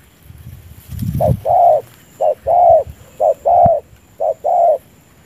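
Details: Spotted dove serving as a trapping decoy, cooing with its chest lowered: after a low thump, three evenly spaced pairs of coos, each a clipped note leading into a longer smooth tone, with a faint high steady hum.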